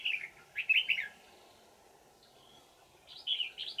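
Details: Red-whiskered bulbul, a wild old forest bird with a twisting bell-like voice, recorded while being trapped with a decoy on 20 December 2018; two bursts of bright, quick warbled whistles separated by a pause, with steady low hum behind.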